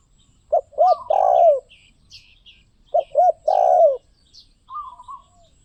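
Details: Two loud song phrases of a spotted dove, two short coos leading into a long, vibrating, descending coo, roughly 2.5 seconds apart; light chirping of other birds in the background.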